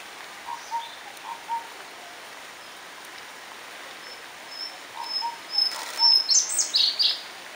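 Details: Indian blue robin at Nandi Hills: a few thin, high whistled notes build into a quick burst of sharp, jumbled high notes, with soft, lower whistles heard faintly earlier on.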